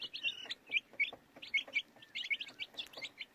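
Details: Baby chicks giving loud, slightly downslurred high peeps, several birds calling in a quick, uneven rhythm roughly every fraction of a second.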